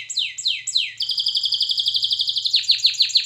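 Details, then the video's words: Canary singing in a training recording: three loud falling whistles, then a rapid even trill, closing with a run of sharp downslurred notes. "Canary Singing Birds Sounds at its best Melodies Canary Bird song Training"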